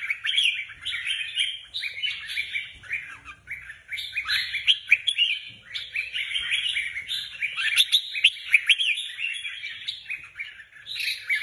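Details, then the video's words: Red-whiskered Bulbuls kept as caged contest birds deliver a long, dense stream of quick warbled notes and sharp chirps, nearly continuous, with slight dips in loudness between phrases. "Các chiến binh chào mào chuẩn bị giải"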